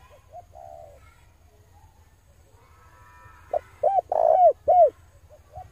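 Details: Male spotted dove lure call: faint distant cooing at first, then one loud near phrase of short note, coo, long rolling coo and closing coo. A steady low hum plays throughout.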